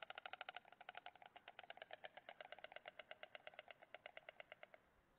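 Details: A white stork chick on 7 May 2017 clatters its bill, losing its balance while clattering, in a dry, wooden rattle of rapid, even knocks that loosen slightly in pace before stopping, over a faint background hiss.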